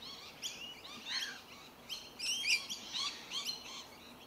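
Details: Rainbow Lorikeets (Trichoglossus moluccanus) feeding on tree violet berries in suburban Melbourne in January 2021 give harsh, shrill screeches and chattering squeaks in quick overlapping bursts, several birds calling at once, over low background hiss.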